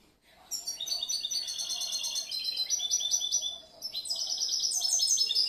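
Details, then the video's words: Caged young European goldfinch, hatched the previous year, sings a long tumbling phrase of rapid high tinkling notes and buzzy trills, pausing briefly before a second brighter run. "Un poquito del jilguero el enfadao"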